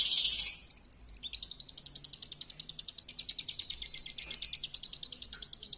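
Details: Lovebird champion song used as a lure: a harsh opening burst, then a long, fast, slightly uneven trill of high notes over a hissy background.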